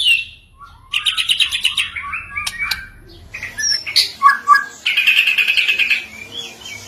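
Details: White-rumped shama song aimed at getting stuck shamas to sing back. Bursts of fast buzzy high trills alternate with short whistled notes and a pair of low mellow whistles, separated by brief quiet gaps.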